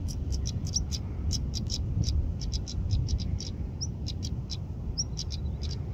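A stonechat gives rapid, dry ticking notes like two pebbles knocked together, with a few thin high whistles mixed in, over a steady low rumble of wind.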